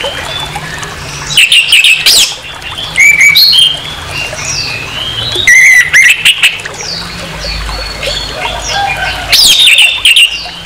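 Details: Orange-headed thrush giving a harsh song used to provoke aggression in another of its kind: loud bursts of varied high whistles, slurred notes and scratchy squawks in short phrases, separated by brief quieter gaps.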